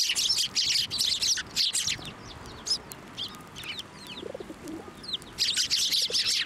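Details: Sparrows flocking to a hand for food at Tenmangu shrine on 18 March 2024. Loud bursts of chirping open and close the passage, and single thin, curving chirps stand out in the quieter middle.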